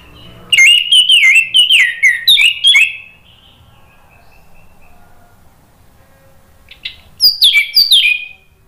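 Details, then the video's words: Orange-headed thrush in Indonesia, 'ngeplong' song used as a lure: a rapid series of downslurred whistles, several seconds of near silence with a faint high note, then another burst of sharp descending whistles. "PANCINGAN ANIS MERAH NGEPLONG merangsang BUNYI jadi NYAUT GACOR NGEPLONG"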